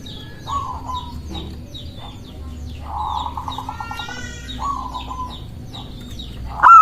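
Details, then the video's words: Local zebra dove singing to lure and provoke rival doves: soft, low, buzzy coos, a longer stuttered phrase midway, and a louder note at the end. A different bird gives a high, wavering whistle partway through, among scattered chirps. "Perkutut lokal gacor mengundang lawan bunyi"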